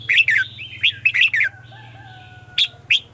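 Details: Brief red-whiskered bulbul 'ché' morning song phrase from a decoy bird calling wild birds. Rapid bright warbled notes, followed by a long thin falling whistle and two sharp chirps, with a low hum behind.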